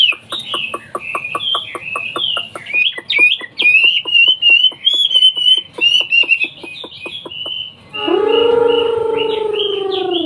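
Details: Singing Hwamei, a bird originating from China. Loud whistled warbles, slurred up and down, run over steady dry clicking notes, before a long, low, sustained tone takes over at the end.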